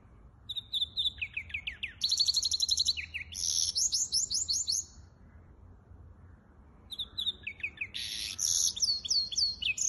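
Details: Singing hybrid finch, 23 April 2023: two bursts of fast twittering, with rapid descending chips, dense buzzy trills and clear whistles, separated by a pause of about two seconds.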